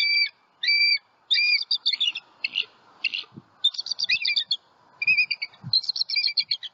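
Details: Nesting bald eagle pair at a Southwest Florida nest with eaglets give high, thin, piping alarm chatter in quick broken bursts of squeaky notes, on high alert after an owl struck the female off her branch; faint low rumble.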